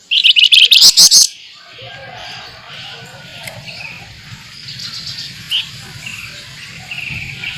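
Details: Flamboyan singing in the rapid 'nyerecet' and 'nembak' style, made as a tutoring recording for training other birds: a loud, shrill, buzzy high trill of quick repeated notes in the first second, then only faint chirps over a low hum.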